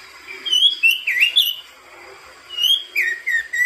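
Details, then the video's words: Song of a crested white-eye: clear whistled notes in short bursts, some sliding up and some dipping, given in two groups separated by a quiet gap of about a second. "kicau burung opior jambul"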